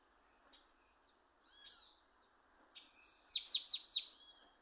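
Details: Chestnut-capped blackbird singing in the wild: a few faint scattered high notes, then a rapid burst of about six buzzy, downslurred high notes in a quick run over steady insect hum.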